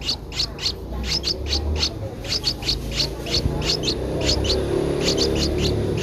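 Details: Young Streak-eared Bulbul, twelve days old, Ubon Ratchathani, Thailand, 14 April 2023: a fast, uneven stream of thin high rising chirps, several per second, while a low rumbling hum swells in the background.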